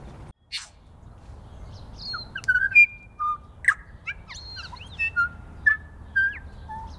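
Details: New Zealand bellbird feeding in snow on the first day of spring, giving about a dozen clear, bell-like notes at shifting pitches, some slurred, in an unhurried sequence over a faint low rumble.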